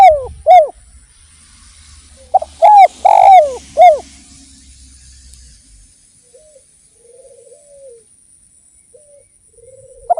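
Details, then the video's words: Spotted dove (derkuku) from Indonesia in vigorous song. A few coos are followed by a four-note phrase of bent, raspy coos, then faint soft trailing coos. A low hum fades after six seconds. "PANCINGAN BURUNG DERKUKU GACOR"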